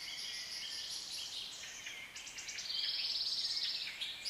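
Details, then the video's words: Several lovebirds of different colours keep up a dense, shrill chatter of high chirps and rapid trills, calling over one another with barely a pause. "Relaxing sound and Different colors of African Love Birds"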